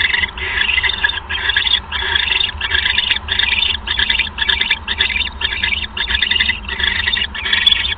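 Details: Owl heard at the nest during an evening mouse delivery on 1 January 2015: a long run of harsh, breathy rasping bursts, each under a second, chained with small pauses over a constant low hum.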